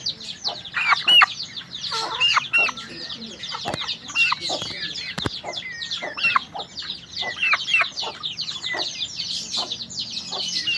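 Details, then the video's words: White-eye song: a dense, hurried stream of high twittering and chirping notes with short whistled slurs mixed in. The notes overlap almost without pause, and a few sharp clicks sound over a faint low hum. "Burung pleci ajaib"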